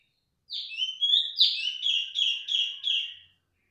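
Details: Strong, insistent calling from a female cungkok: around eight clear whistled notes in a three-second burst, the first few swooping downward, the rest steady and evenly repeated.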